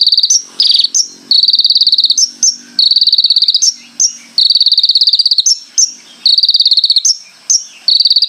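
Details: Konin in lively song: high, dry, rattling trills repeated almost without pause, each about a second long and separated by quick sharp chirps.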